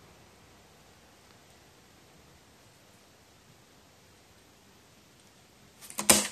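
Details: Soft steady hiss with no animal voice, ending in a sudden loud rustling burst.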